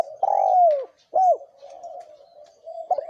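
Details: Male and female spotted doves singing in the thổ kim voice style, used to provoke wild doves; a long steady low coo falling at its end, a short arched coo, then a soft trailing murmur.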